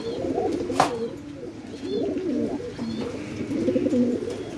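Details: Suital red tail mark fantail pigeons on a Bangladesh farm give low, throaty rolling coos in overlapping bursts, with one sharp click near the start and faint indoor background noise.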